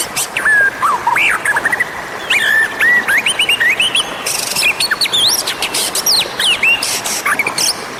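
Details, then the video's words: Oriental magpie-robin, a wild bird, heard in a lure recording used to attract others of its kind: a lively series of clear whistles, rising slurs and high chirps, delivered in rapid, varied bursts. "SUARA PEMANGGIL Burung Murai Liar"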